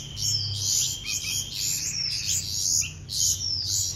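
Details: Young bulbul chicks being hand-fed chirp shrilly and almost without pause. The thin, squeaky notes rise and fall, swelling in short bursts about twice a second, with a faint low hum underneath.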